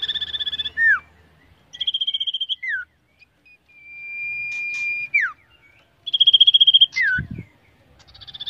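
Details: A common iora being trained and tested for nerve before contests sings rapid high buzzy trills broken by downward slurs and one long, steady whistle; a single low thump is heard near the end.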